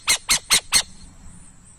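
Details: Burrowing owl giving four harsh, raspy, broadband notes in quick succession over about a second, then falling silent with only faint background hiss.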